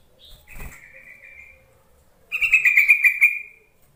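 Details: Yellow-vented bulbul call used to provoke lazy-singing bulbuls into singing; a faint thin note early, then a loud bubbly, scratchy chatter of rapid notes lasting about a second near the end.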